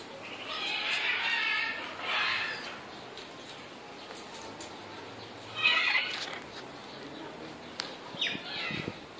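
A red-shouldered macaw gives harsh, raspy squawks in three short bursts a few seconds apart over a steady indoor hiss.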